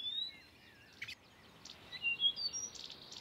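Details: Blyth's reed warbler singing at Far Ings Nature Reserve, UK, on 11 June 2020, a mimic copying Redstart, Chiffchaff, Greenfinch, Chaffinch, Bee-eater and Quail. Varied high thin slurred whistles and short bright notes, some sliding, with a brief noisy burst.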